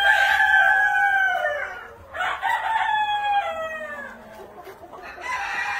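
Red Shouldered Yokohama roosters crowing: long, hoarse, drawn-out calls that sag in pitch at the end, with several overlapping, about three in six seconds.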